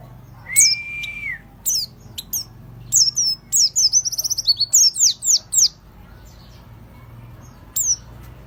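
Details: Fighter-type oriental white-eye used as a lure, opening with a long level whistle, then bursts of high, sharp downslurred notes and a fast ticking trill, before falling quiet apart from one last thin note, over a faint low hum.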